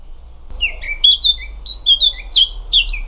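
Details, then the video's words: Eurasian Blackcap (Sylvia atricapilla) singing a quick run of clear, fluted whistles, starting with a few soft notes and rising into a bright, varied phrase, over a faint low background hum. "Ce chant est celui de la fauvette à tête noire."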